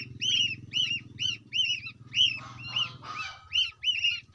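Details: Young goose calling for its companions and mother, repeating shrill arched peeps at an uneven pace, with a brief rough noisy burst midway and a low rumble beneath the first part.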